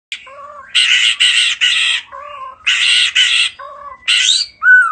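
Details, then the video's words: A bird gives harsh, raspy squawks in short bursts, alternating with soft, low two-note whistles, and ends on a clear, steady whistle. "Chim lắc đầu hót chào"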